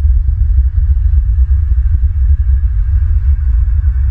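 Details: Deep, steady engine-like rumble with soft rhythmic thumps throughout, and no animal voice heard.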